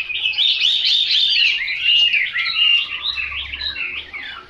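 A Chinese hwamei pours out a loud, rich, unbroken song of fast whistled and warbled phrases, rising and falling, with no other clear sounds.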